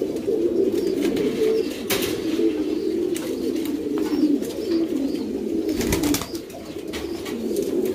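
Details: Several pouter pigeons, a fancy breed known for its inflatable crop, coo steadily in a loft: low, throaty rolling coos in an unbroken chorus, punctuated by a few sharp clatters.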